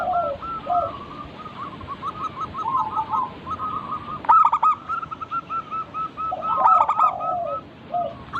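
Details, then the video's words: Several local zebra doves singing together in a recording meant to get birds cooing: overlapping rolling coo phrases, two sharp loud bursts midway and near the end, and steady background dove chatter. "Burung perkutut lokal Pancingan agar cepat bunyi cepat manggung"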